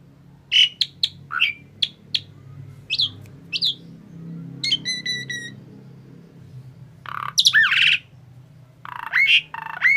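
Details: ['Tame Asian pied starling uttering scattered short sharp whistles and chips, one steady piping note midway, then louder harsh squawks toward the end, over a low background murmur.']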